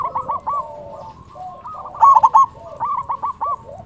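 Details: Local zebra dove with a loud, active voice, kept as a lure for trapping; one burst of rapid rolling coos near the middle, over softer overlapping cooing from other doves throughout.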